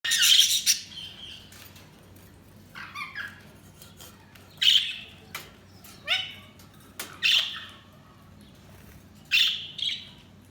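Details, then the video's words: Budgerigars chirping: repeated bursts of high, thin chirps and scratchy squawky notes every second or two, some with quick warbled slides, over a steady low background hum. "Budgies Sounds| Budgies Chirping sound"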